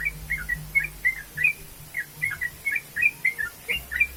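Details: Prolific song of a yellow-vented bulbul: short, sharp chirps repeated about three times a second in a lively, steady series, with a faint low hum behind.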